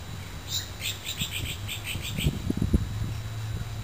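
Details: A Magpie-lark (Peewee), recorded 3 November 2010, gives a quick run of about a dozen short, high piping notes, roughly five per second, over heavy low rumbling and handling noise.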